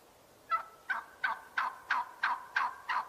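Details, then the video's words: After half a second of quiet, a turkey utters eight sharp, clipped notes at an even pace of about three per second. "Turkey sound"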